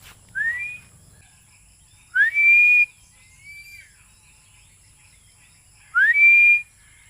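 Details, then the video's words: Philippine eagle calling early in the morning before its breakfast: three loud, rising whistled notes, each sliding up then levelling off, about two seconds apart, with quiet gaps between. "BAGWIS, mag aalmusal na ginising ako ng maaga ll Philippine Eagle"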